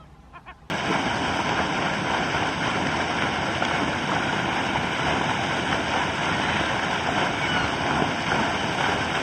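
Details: A short quiet moment opens, then constant heavy wind and rushing water noise with a low rumble take over for the rest.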